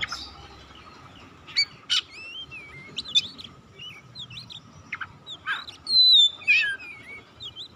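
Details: White-rumped shama song meant to call and excite other birds into singing: scattered sharp chips and short twisting whistles at first, building to a loud clear whistled phrase near the end.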